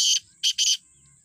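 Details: Black francolin calling with three harsh, grating bursts: one long note, a short gap, then two quick notes, against a steady high background tone.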